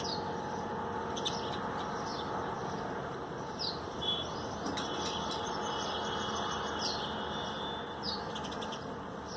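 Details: Common Tailorbird bathing among freshly watered garden trees on 13 April 2020. It gives high, thin, sliding notes in loose bursts over a constant mechanical hum, with occasional sharp clicks.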